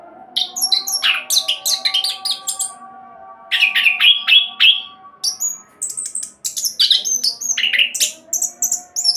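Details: Orange-headed thrush in fast rolling song, serving as a lure for other songbirds. Clusters of rapid chirps and squeaky trills separated by short gaps, roughly three phrases per second, with steady low hum throughout.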